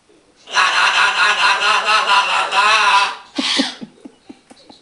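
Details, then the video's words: Green-winged macaw saying hello fast in a light voice, running rapid, hoarse, speech-like hellos together for about two and a half seconds, then starting his own "lalala" song with a short burst and a few soft clicks. "greenwinged macaw saying hello fast, then he sing"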